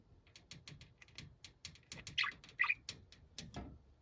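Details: Noisy, angry-sounding pet budgerigar shouting: a rapid series of short, sharp chirps and clicks, with two louder harsh squawks near the middle and a scattering of tapping noises.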